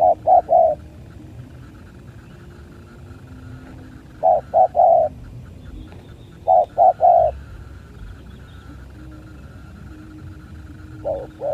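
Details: Spotted doves fighting in 2023 repeat a three-note phrase of low hollow coos, the third note longest, four times roughly every two to three seconds, with a faint high insect-like buzz behind.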